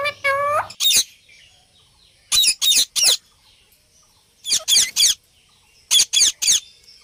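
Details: Indian ringneck parrot calling; a harmonic drawn-out squawk opens, then harsh high screeches in quick bursts of two or three, separated by short silences.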